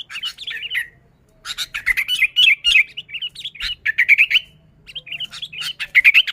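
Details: Sooty-headed bulbul in full, lively song, a natural recording with no added birds, used to lure wild bulbuls: bursts of bubbly, warbled high notes with quick up-and-down slurs, separated by short pauses.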